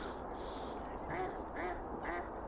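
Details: Wild duck on a lake beside a boardwalk at Burnaby Lake, Vancouver, calling, apparently to its companions: three short nasal quacks about half a second apart over a steady background hiss.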